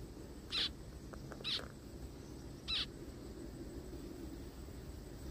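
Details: Zebra finch found in a forest, giving three short nasal, buzzy calls, two close together and a third after about a second's pause, against a quiet low rumble.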